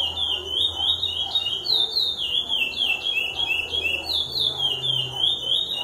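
A lesser seed finch sings a fast, unbroken run of clear, high whistles that slide up and down in looping phrases, over a faint low hum.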